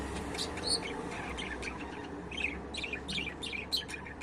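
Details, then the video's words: Budgerigar giving quick, high twittering chirps in irregular bursts, some slightly squawky, spread across the whole stretch above a constant low hum. "Bird Chirping Sound"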